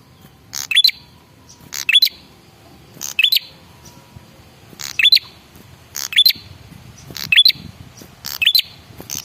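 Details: Male red-headed prinia lure call for drawing other birds to reply: clipped raspy bursts, each ending in a sharp rising whistle, repeated about every 1.2 seconds in a long series.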